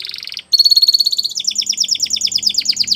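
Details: Spanish Timbrado canary training song: a brief buzzy trill, then a sustained bright metallic rolling note, shifting into rapid repeated descending chirps delivered in a steady rhythm.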